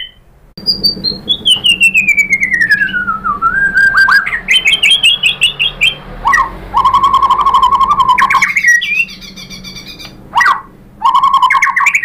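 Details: White-rumped shama song: a long clear whistle sliding steadily downward, then rapid stuttering notes, a sustained level whistled tone and sharp upslurred phrases, over a steady low background hum.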